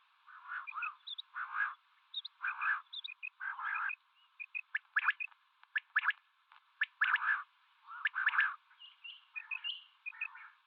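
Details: Mixed calling of male and female common quail: rapid runs of short sharp notes and fuller throaty bursts, repeated irregularly, with faint high chirps scattered through, sound filtered and thin, nothing else audible.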